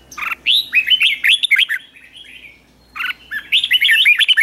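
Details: Red-whiskered bulbul, a caged wild-caught bird being worked up to sing in the morning 'ché' style, delivering rapid rolling warbles of slurred whistles, a pause, then another quick tumbling phrase.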